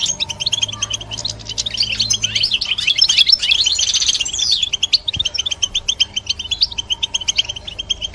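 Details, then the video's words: Bright, hurried twittering from a European goldfinch, swelling into a dense jangling burst midway, then settling into evenly spaced quick chirps; a soft single knock is heard. "Look How The Goldfinch Sings شاهد تغريد طائر الحسون"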